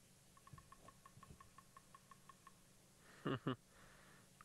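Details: Bearded Woodpecker drumming at sunrise, August 2017, Djuma Game Reserve, near a hyena den: about a dozen sharp, evenly spaced knocks, roughly six a second, followed by two loud thuds near the microphone.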